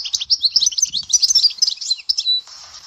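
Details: Rapid, bright twittering from a European goldfinch at Dahwara sector, Souk Ahras, densely packed high chirps and trills running without a break before fading into faint hiss.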